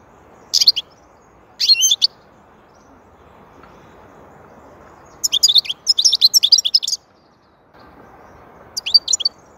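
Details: European goldfinch singing: short bursts of high, tinkling twitters near 0.6 and 1.7 seconds, a longer rapid jangling phrase from about 5 to 7 seconds, then a final brief burst, over a soft steady low hum.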